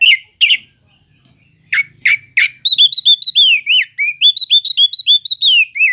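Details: Oriental magpie-robin song (kacer cele'ngan) used to stir other magpie-robins into singing: a few harsh, scratchy notes with gaps, then a quick steady series of bright, looping whistles, several per second, continuing to the end.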